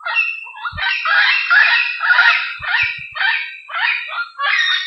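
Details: Diademed amazon calling continuously in the wild, a loud run of raspy, harsh squawks repeated almost without pause, the notes rising and falling, with a few faint low knocks beneath.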